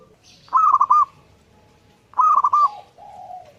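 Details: Zebra dove singing vigorously: two loud rolling coo phrases about 1.6 seconds apart, each a quick stutter of tonal notes with a short rising lead and a final downslur, and a softer low coo between them.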